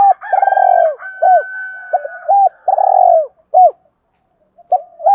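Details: Spotted dove cooing in a 'thúc' and 'gáy gọi' lure style to draw wild doves: short arched coos with two long purring, rolled notes, a faint steady higher tone above, and a brief pause before more clipped coos.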